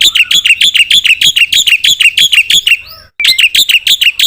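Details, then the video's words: Energetic singing from a Black-winged myna, packed with fill-in phrases. Sharp, bright chirps repeat rapidly and steadily, broken by a short pause with a few soft whistled slurs before the rapid chirping resumes. "suara burung jalak putih gacor full isian"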